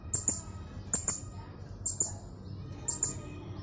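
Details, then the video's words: Blue-crowned hanging parrot kept in a cage in Jungkat, West Kalimantan, performing for an online contest: paired sharp, high-pitched squeaks repeated about once a second, four pairs in all, over a low background rumble. "LOMBA SERINDIT ONLINE 2 - Aksi Serindit"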